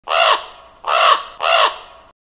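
A raven gives three harsh, croaking caws in quick succession, each lasting about half a second, with no other sounds around them.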